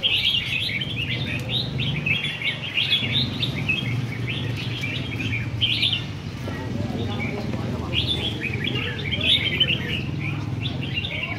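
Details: At a rack-style singing competition, caged red-whiskered bulbuls keep up a busy chorus of high, chirped and whistled phrases, pausing briefly mid-way before resuming, over a steady low crowd rumble.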